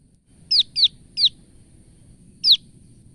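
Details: Female olive-backed tailorbird calling out of fright: four loud, sharp, high downslurred notes, three in quick succession and one after a pause, over a low background hum.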